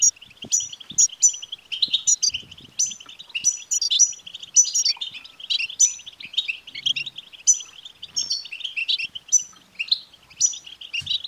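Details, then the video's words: European goldfinch song played to stimulate a caged male to sing: a dense, continuous twittering of rapid liquid notes and trills, with bright higher tinkling phrases repeated about every half second and faint low knocks beneath. "بتبتة لتحفيز الحسون"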